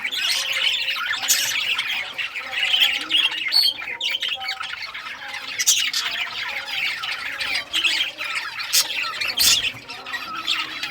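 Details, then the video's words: A group of rare-coloured budgerigars at play with toys on 18 June 2023, keeping up continuous scratchy warbling and chirping, with sudden sharp clicks and a few brief whistled squeaks. "Budgies all rare colors playing and chirping sounds playing with toys"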